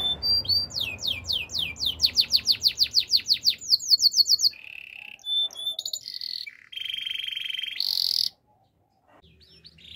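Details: Training song for canaries: a rapid series of descending swept notes, roughly three per second, then buzzy sustained trills at several pitches and a short harsh burst before a pause.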